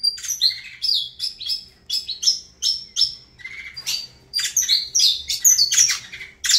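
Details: A saffron finch sings a lively series of chirps and short whistles, repeated notes early on, then a denser, more varied flurry of high notes.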